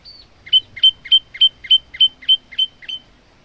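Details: Male olive-backed tailorbird, kept as a songbird and used as a tutor for other birds, giving a rapid series of nine sharp, high chirped notes, each sweeping up then steady, repeated about every third of a second.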